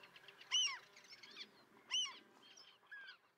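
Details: Two clear, piercing downslurred calls about 1.5 seconds apart over softer colony chatter, from Common terns nesting with chicks near the mole at Liepāja, Latvia, June 2024.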